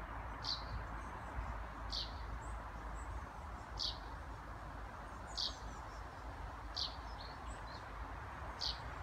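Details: A Eurasian tree sparrow gives contact or alarm calls in a small forest patch in Sundsvall, Sweden, on 21 June 2018: short, sharp chirps about one a second over a steady low rumble.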